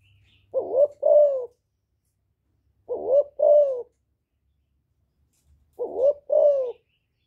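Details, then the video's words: Spotted dove, 'giọng thổ' style, calling to goad wild rival males: three matching two-part coo phrases repeated about every two and a half seconds, each a short rising note then a longer descending one. "Cu Gáy Giọng Thổ GÁY GỌI kích bổi"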